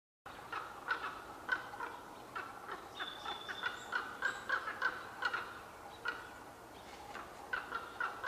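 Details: Two unseen common ravens in the trees at Qualicum Beach on May 23, 2011, conversing: rapid, knocking, gurgling notes in irregular bursts, with a thin, steady whistle from another bird midway.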